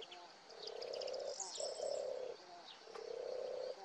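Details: European turtle dove recorded with a Nikon Coolpix P1000: low, soft purring phrases, a rolling trilled coo in three bouts with brief pauses between, while thin high chirps of other small birds sound in the background.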